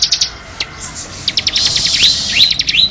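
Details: Bar-winged prinia (ciblek) song recorded as masteran tutor material: quick high chirps, then short whistled notes sweeping upward, repeated three times near the end.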